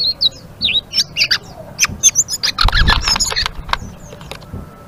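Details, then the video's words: Blue-winged leafbird in lively ngeriwik song, a jumble of high sweet chirps and slurred whistles mixed with sharp clicking notes and brief rattles, with soft low background noise. "Suara Burung Selendang Biru Gacor❗❗ Ngeriwik"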